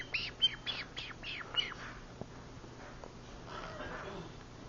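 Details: Pet green-cheeked conure vocalizing softly while sleeping with lights off; a run of short descending chirps in quick succession, then quiet low rustling.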